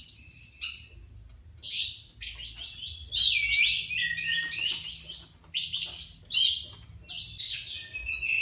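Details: Caged Orange-headed Thrush in a square cage, about two months after moulting, singing within about a minute of being hung up: rapid, varied high warbling song of buzzy trills, repeated stacked notes and thin whistles, nearly continuous with one brief pause.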